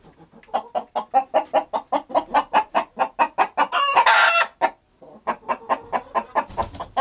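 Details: Chickens clucking in a steady run of short, evenly spaced clucks, about two or three per second, broken near the middle by a longer raspy squawk, then clucking resumes.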